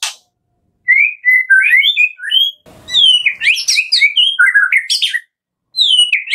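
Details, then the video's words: Lure song of a white-rumped shama: rich, varied whistled phrases, some rising and some falling, mixed with high, thin squeaks and quick chattering notes in nearly continuous bursts. A soft thump is heard near the middle. "PANCINGAN JAHAT KRETEKAN MURAI BATU GACOR"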